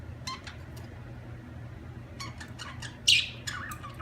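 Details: Budgerigar giving sparse, scattered chirps and short squawks separated by quiet gaps, with one loud harsh note near the middle.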